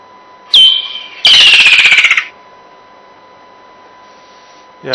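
Woodland Kingfisher: one sharp high whistled note, then a loud, rapid trill that slides downward for about a second, like laughter. A faint steady electronic hum runs underneath.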